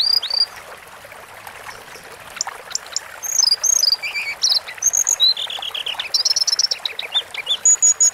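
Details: Sunda forktail song from a long-duration training recording: thin, high whistled notes and short slurred phrases, some rising, some falling, delivered in quick bursts that grow louder and denser toward the end, with a steady background hiss.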